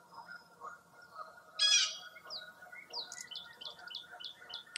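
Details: Foggy early-April morning chorus at a Wisconsin state park lake. A loud, harsh high burst is followed by a run of quick, evenly spaced high chirps, with softer calls underneath.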